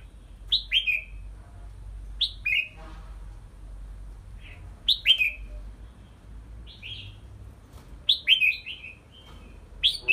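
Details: Red-whiskered bulbul being exercised in a small hanging bamboo cage; bright whistled phrases of two to four notes, each dropping in pitch, delivered irregularly every one to two seconds, with faint background hum.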